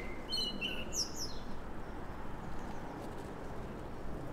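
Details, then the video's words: Common blackbird singing its morning song gives one short phrase of fluted whistles that breaks into a high, squeaky twitter, then stops, over a steady low outdoor rumble; a second blackbird is nearby. "Amselgesang || Blackbirds Morning Song"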